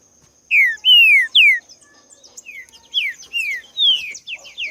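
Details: Green-winged saltator singing live in nature: three strong, down-slurred whistles, a brief gap, then softer rapid sliding notes. A thin steady high tone persists.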